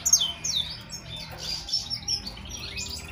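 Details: European goldfinch giving a few high, thin chirps and short descending whistled notes, scattered and fairly faint over soft low background noise.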